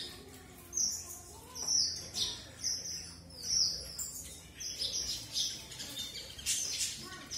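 Red avadavat singing thin, very high twittering and squeaky chirps in short bursts about every second or two, with faint low background hum.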